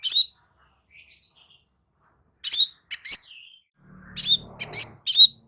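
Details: Crimson sunbird song, offered as therapy chirping to get a silent bird singing clearly again: clusters of sharp, very high chirps separated by pauses, with a faint low hum partway through.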